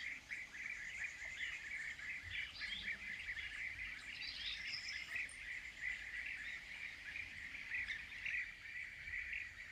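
A chorus of European bee-eaters: many overlapping rolling, liquid 'prruip' calls at mid-high pitch, continuous throughout, with a few thinner higher notes mixed in.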